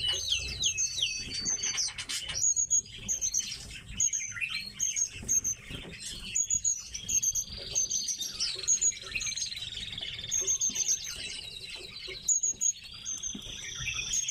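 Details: Tits kept in captivity producing a long stream of high, sharp chirps repeated in clusters every second or so over faint buzzy trills, with light scratching and tapping.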